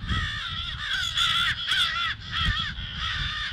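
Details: Short run of rasping crow alarm caws, 18 February at 08:50, several calls merging into one another with harmonic bands, faint low background noise.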